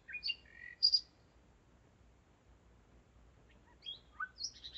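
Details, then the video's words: Common nightingale in nocturnal song, Zeitz, Germany, 01:55 on 5 May 2017: high whistled notes and a double sharp pip, a quiet interval, then varied fluting and descending phrases. "Gesang der Nachtigall - Song of the nightingale"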